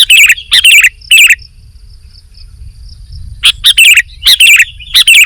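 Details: Sooty-headed bulbul (kutilang) delivering short bubbly whistled phrases, three quick bursts, then a two-second pause with a faint thin tone, then more rapid slurred phrases.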